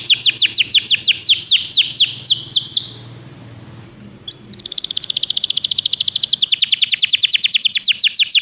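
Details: Singing canary, played so that a canary will sing: a fast series of sharp descending whistled notes, a short lull with faint background hum, then a long rapid buzzing trill of closely repeated notes.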